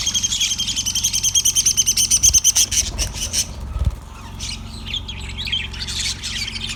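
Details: On February 18, 2024, a yellow budgerigar gives a rapid pulsed series of bright repeated chirps, about three per second, then softer scratchy warbling, over a faint hum.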